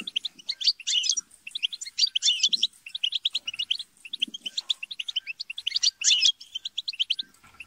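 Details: Group chatter and squabbling of European goldfinches, meant to stimulate singing: dense overlapping twitters in quick runs, broken by louder harsh buzzy bursts about every two seconds.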